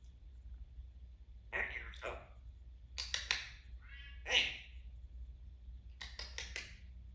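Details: Pet male Timneh African grey parrot, being chatty: quiet speech-like mumbles, a short buzzy note and scattered clicky fragments in bursts, over a low room hum.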